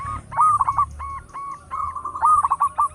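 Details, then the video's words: Local zebra dove with a loud, big voice, kept as a lure bird, singing a run of short cooing notes with repeated hooked phrases, pausing briefly before a faster burst of rolling notes. "Perkutut lokal gacor suara besar bikin gempar bunyi seteras cocok buat pancingan"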